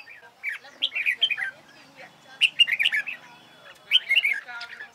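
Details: Chào mào, the red-whiskered bulbul, practicing contest singing: three separate clusters of quick, lively chirped and warbled notes, each lasting about a second, with quiet gaps between them.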